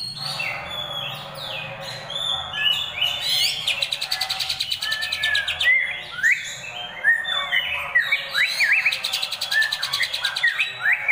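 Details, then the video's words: A greater green leafbird's rolling, harsh besetan song used as training material: long medley of whistled upslurs, squeaky notes and bursts of rapid buzzy rattles, loud and continuous. "masteran cucak ijo//ngerol besetan kasar"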